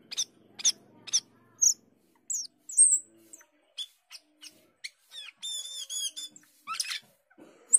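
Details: Asian glossy starling (cucak keling) singing quietly in gacor style. Scattered sharp chips and short high whistles lead into a warbled, harmonic-rich phrase, then a rising slur.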